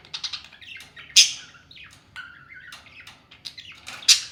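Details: Two parrots fighting playfully, trading quick harsh squawks, a couple of loud piercing screeches and a flat held whistle-like note between bursts of chatter, in a small room.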